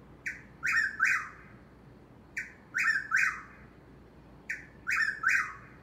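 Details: Nearby Eastern whip-poor-will in Corolla, North Carolina, giving its rhythmic three-note whistled phrase three times, the last note dropping in pitch, repeated roughly every two seconds against faint background hiss.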